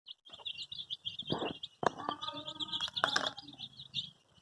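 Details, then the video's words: Colour-dyed baby chicks looking for their mother: a dense chorus of high, thin peeping chirps repeated rapidly and continuously, overlapped by a few loud knocks and thuds. "Cute baby chicks chirping sounds|Sounds of Hen kids|Baby chick looking for mother's love"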